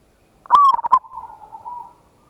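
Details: Lure song of a local zebra dove with a big voice, ngayer kerot nutut style, meant to stir other birds to answer. A strong burst of rapid, broken cooing notes slides into a long, quieter, wavering coo.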